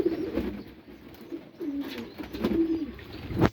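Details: Pet pigeons producing low, burbling coos in short rolling phrases. The phrases end with a sharp knock or flutter.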